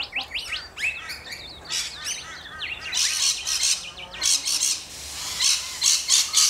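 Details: Rainbow lorikeets, Australia, calling in a flock: quick squeaky chirps at first, then loud, harsh, rasping screeches bursting out repeatedly over overlapping chatter.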